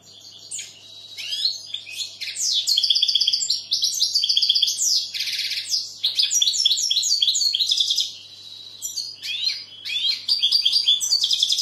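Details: Long passage of goldfinch song: energetic, varied twittering with slurred chirps, buzzy notes and tinkling runs, broken by a few brief pauses.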